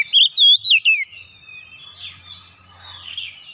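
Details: Oriental magpie-robin (kacer) in gacor song meant to get a silent bird singing again: four loud, swooping whistled notes in the first second, followed by quieter high twittering and soft trills in the background.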